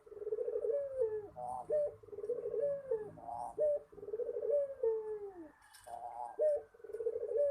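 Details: Derkuku puter, a spotted dove, cooing steadily. Low, mellow, rolling coos slide down at the end of each phrase and recur roughly every 1.5 seconds, with a short click-like break midway and a quiet background.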